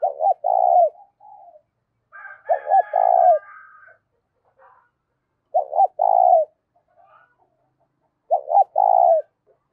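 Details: A spotted dove calls in a strong, clean voice meant to stir decoy doves. Four repeated phrases, two short notes and then a long vibrating coo, with a brief higher warbling bird call in the background.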